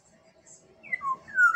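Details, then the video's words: Black-naped oriole from Sumbawa beginning a fluty song phrase, with two slurred whistles and the start of a louder, rising note that is cut short, over a soft, low background murmur. "Kepodang emas Sumbawa"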